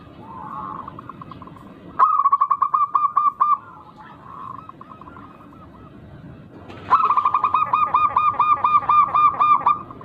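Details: Local wild zebra dove singing in an unusual, rare rhythm, used as a lure to provoke rivals into answering. Two bursts of rapid, evenly repeated mid-pitched cooing notes, with softer cooing between them over a steady background hiss.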